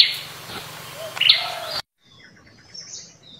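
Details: Blood-breasted flowerpecker in the wild in the mountains, giving a few sharp, high ticking notes amid a busy background of other chirps, then a quieter stretch with faint high calls.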